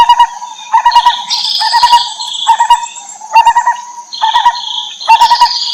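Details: Lineated barbet in the wild, Terai, as a mother feeds young. Repeated clusters of low pulsed hoots alternate with louder high, slurred chirping notes, over a continuous thin whine.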